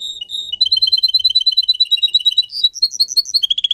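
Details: Singing pet canary, a singer bird kept for song training, delivering rapid trilled tours of sharp chirps around a steady high pitch, changing to new phrases with shifting pitch near the end; clean recording without other sounds.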